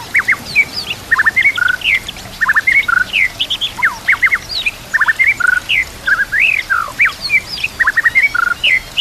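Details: Murai batu, the white-rumped shama, singing a full, varied training song: rapid bursts of sharp upslurred and downslurred notes, clipped chirps and short whistles repeated in quick succession over soft natural background and water trickle.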